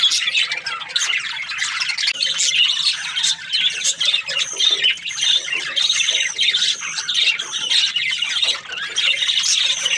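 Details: Budgerigar breeding pairs chattering: repeated high squawks and bright chirps tumble over one another, with brief lulls among the steady, shrill warbling.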